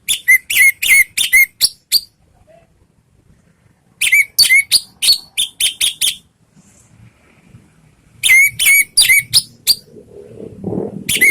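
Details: Orange-headed thrush singing to lure others into replying: three bursts of rapid, repeated whistled notes with sharp upslurred phrases, separated by pauses, and a soft rustle near the end.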